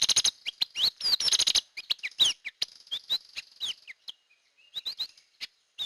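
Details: Hair-crested drongo used for luring birds, pouring out rapid chattering notes and bright upslurred and downslurred whistles, busiest at the start, then thinning into scattered metallic chips.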